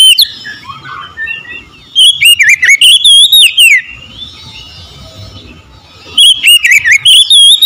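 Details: Oriental magpie-robin song: two loud bursts of rapid, clear whistled notes, slurred and warbling with sharp upward sweeps, separated by about two seconds of softer, faint twittering.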